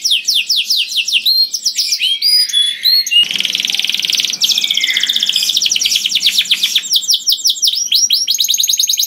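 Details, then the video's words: A canary sings a loud, melodious, continuous song of rapid trills, high sweeping whistles and buzzy rolls, changing phrase every second or so, with no other sounds; the song is meant to lure other canaries into singing. "Burung Kenari Bunyi Gacor Merdu dan Keras Cocok Sekali Untuk Pancing Kenari Lain || Voice of Canary"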